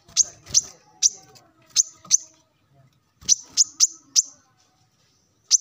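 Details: Morning calls of a male plain-throated sunbird aimed at rivals: uneven groups of sharp, high chips with short pauses, over faint low background noise.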